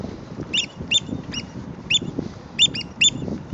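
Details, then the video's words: Black oystercatchers at Heron's Head Park, San Francisco, scolding a person nearby: loud, clipped, high piping calls given singly and in quick doublets, about seven in three seconds, with a low background rumble. "Black Oystercatchers Scolding Me"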